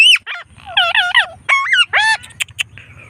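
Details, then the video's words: Pet blue Indian Ringneck parrot during an evening walk giving loud, nasal, speech-like phrases in quick succession, some doubled, then two sharp clicks and faint hiss at the end. "Ringneck Parrot Talking Video"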